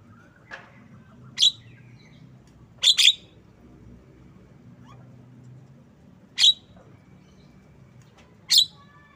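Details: Javan myna (jalak kebo) giving short, harsh, broadband screeching notes at irregular intervals, one quick double note near the middle, over a low steady hum.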